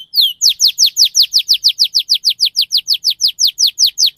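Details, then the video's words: Rolling 'ngerol' canary song meant to prompt young birds to sing: a rapid, steady series of sharp downslurred whistled notes, roughly five per second, loud and clear throughout. "Kenari Gacor Speed Rapat Cuit Cuit NGEROL Tajam 99% Ampuh Untuk Pancingan Kenari Paud Pecah Suara"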